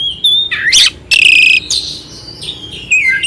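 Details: Oriental magpie-robin song with rough fill-ins to raise the mood of a quiet magpie-robin; a whistle, harsh buzzy bursts, a long loud grating note, then softer wavering whistles.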